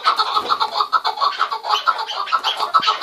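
Several chukar partridges call together in a dense, overlapping chatter of harsh, clucking notes, about two a second, with no quiet gaps.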